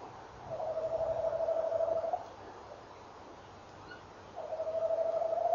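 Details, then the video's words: Tawny owl male at dawn, 18 November 2013, answered and encouraged by the female: two sustained quavering trills, each roughly 1.7 seconds, separated by a pause of about two seconds, with a faint short higher note between them. "bosuil M rolt V antwoordt"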